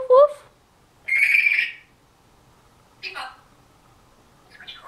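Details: African Grey Parrot aged just over a year, talking and copying human phrases, recorded September 2010. A short rising whistle opens, followed by a sustained buzzy tonal phrase, then two brief harsh syllables after a long pause.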